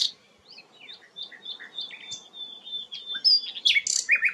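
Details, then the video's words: Sikatan londo flycatcher singing: thin, spaced whistles and chips sliding between high pitches, building to a loud cluster of sharp, squeaky notes near the end. "burung sikatan londo gacor"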